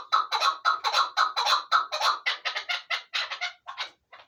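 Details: Chukar partridge kept as a hunting bird utters a rhythmic run of raspy chuk notes, roughly four to five a second, slowing and fading into a few final clucks.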